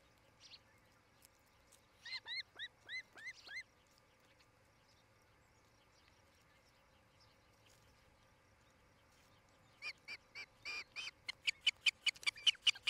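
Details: Osprey couple building a nest in Charlo, Montana, nest camera, July 2018 evening: a quick group of five hooked whistled chirps, a long quiet pause, then a rapid accelerating string of high, sharp chirps.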